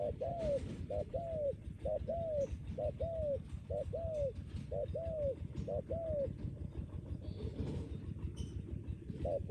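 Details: Decoy spotted dove with a strong, long-lasting coo. It gives a steady run of eight arched, hooting coo notes about one every 0.7 seconds, then pauses. A noisy background rumble and occasional clicks sound throughout.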